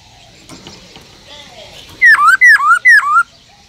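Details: Caged black-throated laughingthrush with a wild-type song used to provoke other laughingthrushes. After a soft, murmuring background come three loud downslurred whistles with upturned ends, spaced about half a second apart.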